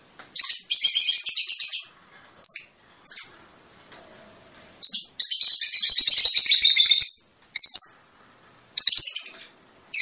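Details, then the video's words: Fischer's lovebird's mating-stimulation song, long buzzy, rapidly pulsed high chatter of up to two seconds alternating with short sharp chirps and quiet gaps. "أجمل تغريد لطيور الفيشر"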